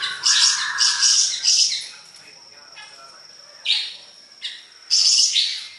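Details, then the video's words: Siri-siri besar in full, lively song for bird tutoring gives high, bright bursts of chattering song over a thin whistled note, the phrases repeating in quick runs with short pauses. "burung siri siri besar gacor"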